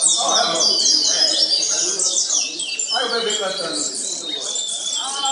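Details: Chestnut-bellied seed finch (curió pardo) from Pernambuco in song-competition training: a fast run of bright, high whistles and twitters, with other birds chattering and people talking underneath.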